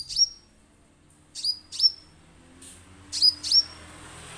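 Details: Orange-headed thrush used as a lure to trigger singing: one sharp high note, then two pairs of quick down-swept whistles ending on a steady thin tone, separated by short quiet gaps.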